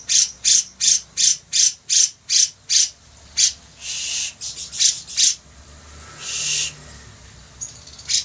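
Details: Grey-cheeked bulbul singing briskly as a master recording: a rapid, regular train of about ten harsh squawks, then looser buzzy notes and a long rasp, fading to sparse calls.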